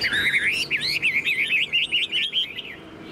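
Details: Tame caged Chinese hwamei with spread tail delivers a rapid, rich warble of looping whistled notes, quick rising and falling slurs strung together for nearly three seconds, part of its long, high singing.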